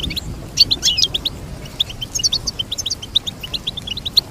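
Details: Energetic goldfinch twittering: a burst of tangled high notes early on, then a steady series of evenly spaced bright chirps to the end.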